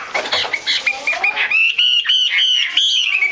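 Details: Female hwamei 'te' calling, meant to trigger male singing: muffled scratchy sounds at first, then a clear run of rapid high clipped notes in even rhythm.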